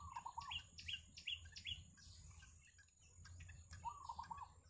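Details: A yellow bittern (Ixobrychus sinensis), filmed with its family at the nest, calls in bursts of quick, mid-pitched chirps with sharper higher notes between them, over a thin, steady insect whine and a low rumble.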